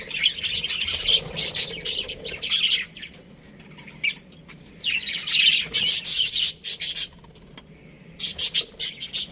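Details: Australian budgie breeding pair calling in separate bursts of loud high chirps and squawks, each burst lasting a second or two, with quiet stretches between them.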